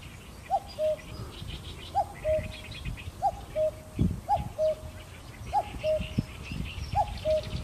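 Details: Eurasian cuckoo recorded on a Sony A7M3, calling a steady falling two-note cuck-oo six times, about once every one and a quarter seconds, with a few soft knocks and a background of high chirping insects and small birds.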